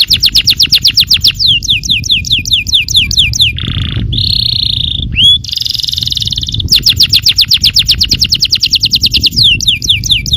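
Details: Yellow canary song for provoking other canaries: dense rapid trills of falling notes, interrupted by two loud buzzy, rattling tones and a rising chirp, then the fast trilling resumes; steady low background noise throughout.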